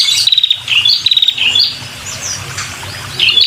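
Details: Red-headed female prinia giving its luring call for males: quick series of sharp high ticks in short bursts, with a brief squeaky note between and a soft low rumble beneath.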